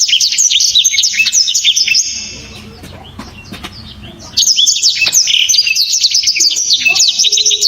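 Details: Black-throated canary, a songbird prized by bird-song hobbyists, delivering loud, sharp, clear 'shots': rapid high twittering bursts of slurred whistles and trills, paused near the middle and then resumed. Faint low murmur in the background.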